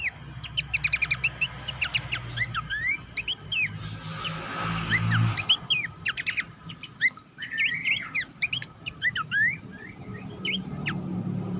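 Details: Horsfield's babbler master song for training champion contest songbirds: runs of quick chips and downslurred whistles, a noisy hiss midway, then more varied whistled phrases over a low rumble.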